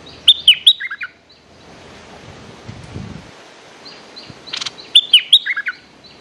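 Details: Bulbul lure song, meant to provoke birds into fighting rather than singing: two bursts of clear whistled, slurred notes around the start and end, each a quick run of rising and falling phrases, with a quiet rustling lull between.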